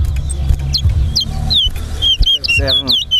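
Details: Chestnut-bellied seed finch (towa towa) at a bird whistling competition in Linden: clear, sweet whistled notes, some sliding down and some warbling, repeating in quick phrases over murmuring voices, low crowd rumble and faint music.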